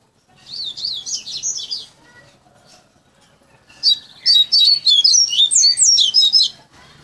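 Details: Hand-tutored caged coleiro, Bahia style, singing its fluted learned song: a first phrase of wavering high whistles, a pause with soft notes, then a longer run of rapid, looping bright whistled syllables.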